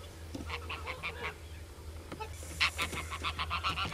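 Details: Common crane calling: short rasping honks repeated in a quick run, then a louder, denser burst of overlapping trumpeting notes in the second half, with a constant low background hum.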